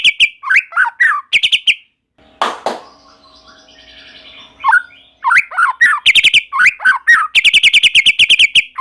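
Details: A white-rumped shama sings vigorously, prompting other shamas to join: rapid trills and falling whistled phrases, interrupted by a couple of loud knocks and faint background noise, before a long fast trill closes.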